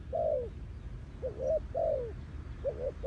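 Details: Clean spotted dove call for luring in trapping: low coos alternating between a short bouncing note and a long falling one, phrases following closely, with soft low rumble underneath.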